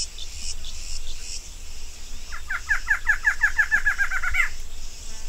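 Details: Female barred antshrike giving an accelerating series of about fifteen bouncing nasal notes over two seconds, ending in a sharper final note, against steady high insect buzzing.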